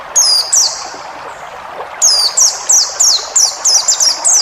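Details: Cage-bird training recording of a white-eye: one high falling whistle, a gap, then a rapid string of about seven bright descending notes, with steady rushing noise behind.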